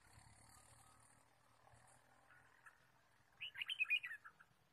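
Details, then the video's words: Red-whiskered bulbul in the wild forest, recorded while bird trapping on 23 March 2017: after faint background hiss and distant tones, a quick string of sharp, bubbly chirped notes rising and falling for under a second. "Red-whiskered bulbul Chirping"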